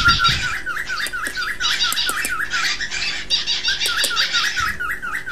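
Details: Cockatiel sound for encouraging breeding and teaching song: a regular chain of wavy whistled notes under thick high chattering squawks, starting with a low thud.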